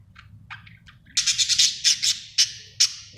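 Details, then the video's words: Happy budgie chirps: a few soft, thin notes at first, then a loud run of sharp, clipped chirps and short squawks, spaced irregularly. "Happy budgie chirping sound"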